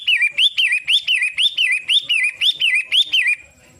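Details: A rapid chain of sharp, wavering whistled notes from pentet matahari, the Long-tailed shrike, about two per second, ending suddenly with quiet after three and a half seconds.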